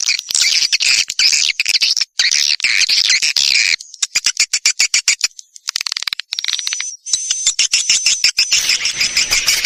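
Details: Swiftlet lure call played to attract swiftlets: dense, high chattering twitters in rapid bursts, breaking into short choppy pulses midway, with a thin steady whistled tone near the end before the chatter resumes.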